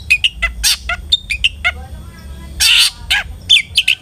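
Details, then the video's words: Long-tailed shrike singing-lure recording: scattered sharp chips and short whistles, then a long harsh rasping burst and a few more clipped notes, with faint low hum. "PANCINGAN CENDET AGAR RAJIN BUNYI"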